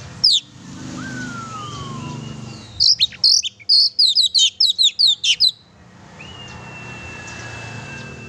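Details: Lively oriental magpie-robin song meant to stir a pet magpie-robin: long thin gliding whistles before and after a dense two-and-a-half-second run of piercing, quick-fire chips and twitters.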